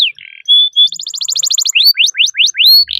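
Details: Loud canary song moving through distinct sections: a short buzzy opening, a pure sustained whistle, a fast trill of repeated notes, then sharply upswept whistled notes, ending on a buzzy note.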